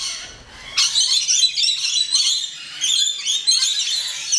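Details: Rainbow lorikeets in a safari park aviary in the West Midlands: after a brief quiet start, a burst of shrill, raspy screeches and chatter from several birds, calls overlapping in rough waves.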